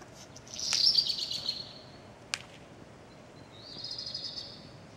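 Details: A redstart in Wattenheim, Pfalz, Germany sings two short, high, scratchy, buzzing phrases about three seconds apart, with a single sharp click between them.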